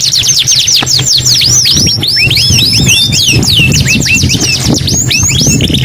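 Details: Canary singing energetically: fast runs of bright, sweeping whistled notes, many falling then rising, repeated in quick rolls with barely a pause, over a constant low hum.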